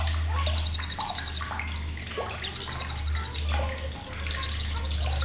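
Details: Blue-crowned hanging parrot chattering sharply, recorded as training material for songbirds: three long runs of piercing, rapid buzzy notes, nearly continuous, with scattered lower chirps and a low droning hum underneath.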